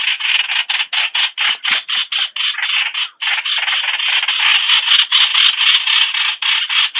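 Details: Streak-eared Bulbul producing a loud, continuous rasping chatter of coarse notes, packed tighter in the second half.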